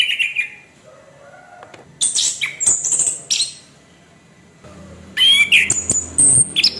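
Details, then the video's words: Orange-headed thrush, a caged bird, singing a harsh song used to provoke other birds into singing: bursts of scratchy, high chattering notes with sharp whistled slurs, separated by short pauses. "Kasaran pembangkit emosi terampuh sepanjang sejarah, kicau Anis kembang kasar"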